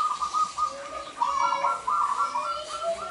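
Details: Local Indonesian zebra dove singing to lure males for trapping: rolling, trilled coos near one pitch, repeated in quick bursts with short gaps, a lower fainter warble beneath, slight room noise.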